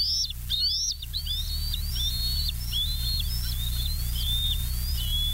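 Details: Bald eagle recorded on a nature live cam, West End, 11 July 2023, 20:54, with a long chattering run of high whistled notes that rise and break off, gradually slowing and dropping slightly in pitch, over a constant low rumble.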